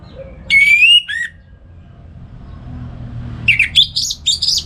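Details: Orange-headed thrush in captivity in Singaraja, North Bali, singing in the morning to train other songbirds: a long rising whistle followed by a short note, a pause, then a burst of jumbled chattering notes.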